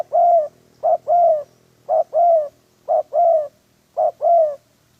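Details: Decoy spotted dove in a dove trapping setup, giving four even phrases of a short coo followed by a longer, softly falling coo, roughly one phrase per second with faint hum.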